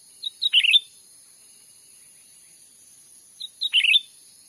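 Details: Cucak ranting bird-trapping lure recorded in a Sumatran forest: two matching phrases about three seconds apart, each a few thin introductory notes running into a fast, squeaky chirping flourish, over a faint constant hiss.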